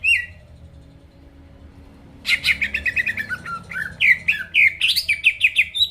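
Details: Greater green leafbird song aimed at provoking rival birds: a single whistle, near silence, then a lively varied stream of rapid chirps, slurs and twittering notes.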